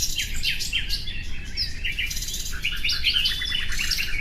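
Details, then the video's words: Nightingale song with varied whistled and chirping phrases, some falling slurs and brief bright notes, sung over a constant low rumbling background noise. "Bülbül sesi"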